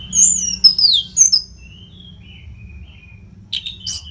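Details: Orange-headed thrush (anis merah), nonstop training song for fighter birds: a high slurred whistle sweeping downward, quieter thin trailing notes, then two short sharp chips near the end.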